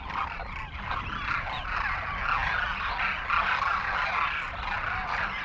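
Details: Demoiselle cranes, many together, feeding from villagers in a Rajasthan village, India, making happy crooning sounds. An unbroken chorus of rolling, throaty calls swells and fades, with soft low background rumble.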